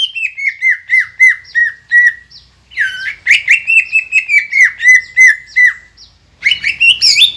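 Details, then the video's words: Green leafbird singing nonstop to provoke rival birds: a run of short, downward-slurred whistles, a brief gap, a harsh squealing onset into steady chirps, then a rising high burst at the end. "PANCINGAN CUCAK IJO GACOR INI MAMPU BIKIN EMOSI LAWAN CUMA HITUNGAN DETIK"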